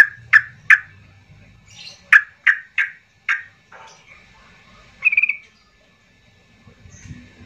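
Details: Yellow-vented bulbul calling agitatedly, played to prompt silent caged birds to sing: a run of sharp, loud chirps repeated about every third of a second, then a short rapid chattered burst.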